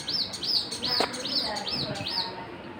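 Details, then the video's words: Six arched high chirps from birds, spaced about every half second, with a faint low murmur beneath. "Birds chirping"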